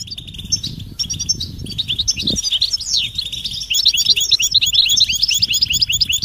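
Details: European goldfinch mating calls in the 'batbata' twittering style, said to get silent males singing; high chirps start sparse, then thicken into a busy run of quick slurred notes after the third second, with one downward sweeping note.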